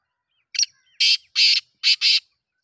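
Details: Black francolin calling: a short harsh note, then a pause and four loud, grating, buzzy notes in two pairs, all high and broadband, with near silence around them.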